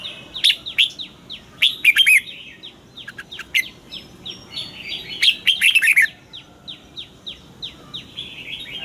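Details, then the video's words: Red-whiskered bulbul in a cage singing its morning song used to train birds, wild-style double notes: warbled whistle phrases over a steady background of many short, falling chirps from other birds. "Luyện giọng cho chào mào hót sáng, ép chào mào hót âm kép già rừng hay tuyệt!"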